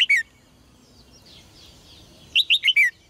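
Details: Caged red-whiskered bulbul, recorded to make males sing vigorously: a brief falling note at the start, then a lively phrase of four quick, clear whistled notes sliding downward, with faint chatter in the background.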